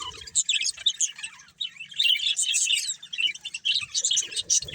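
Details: Two budgerigars, a breeding pair, keep up lively chirping: warbling, squeaky chatter with rising and falling whistled notes, briefly dipping around the middle before resuming.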